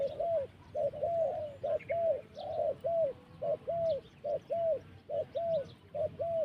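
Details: Wild spotted dove giving a steady run of short, mellow coos, each a low hooting note repeated roughly twice a second in an even rhythm, with occasional faint thin chirps from other birds behind.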